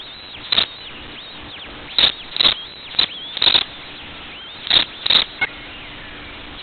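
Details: Osprey chicks in the nest, Kent County, Maryland, 2021: short, bright, high chirping calls in separate bursts, some paired, spaced irregularly about a second apart over quiet background hiss.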